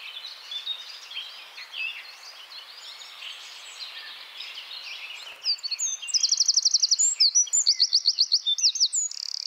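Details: Eurasian wren singing in Czech woodland, Central Europe: after several seconds of soft, distant twittering, a loud burst of rapid high trills and repeated sharp notes breaks in for the last three seconds.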